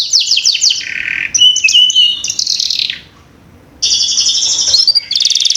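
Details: Canary song used to coax young birds into singing: fast chopped trills alternate with buzzy bursts and steady whistles, broken by a short silent gap before rapid pulsing trills resume.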